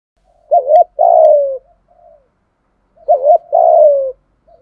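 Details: Thúc gù calling by a spotted dove: two matching phrases about two and a half seconds apart, each a quick wavering note and a long falling coo, with faint soft trailing notes after.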